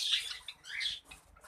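Java sparrow giving a pair of brief, high chirping calls, the first sharp and the second slightly lower, in a quiet indoor space.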